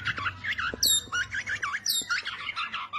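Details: Borneo white-rumped shama of the gembung type singing a rich, varied song: quick looping whistles around the middle register, punctuated by sharp high upward-sweeping notes, phrases following closely, faint low hum beneath.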